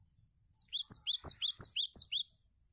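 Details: Cinereous tit song used as tutoring material for other birds: a rapid series of about nine bright, downward-slurred whistled notes, evenly repeated, with a steady high tone running in the background.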